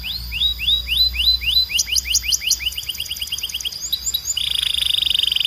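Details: Belgian canary song for training birds: a quick series of upslurred whistled notes that speeds up, then a short whistled phrase and a dense buzzy high trill.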